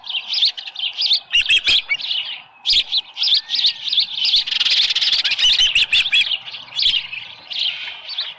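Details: Osprey at its nest on a ranch, early morning of 24 July 2018 around 6:52, with a headless fish present; shrill whistled chirps in rapid bursts, some rising, with a dense loud cluster midway.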